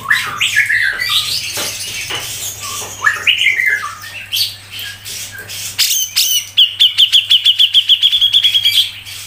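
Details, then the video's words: Grey-cheeked bulbul (cucak jenggot) in a fast, tight 'ngepik' tutor song: varied scratchy chatter and downslurred whistles, then a long, rapid, even train of sharp high ticks near the end, over a faint steady hum. "CUCAK JENGGOT MBESET NGEPIK RAPET | masteran cucak jenggot"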